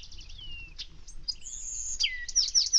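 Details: Say's phoebe singing on a desert morning: thin down-slurred whistles, one long note gliding from high to low, among trilled and buzzy phrases from other birds, with Bewick's wren and spotted towhee singing in the background.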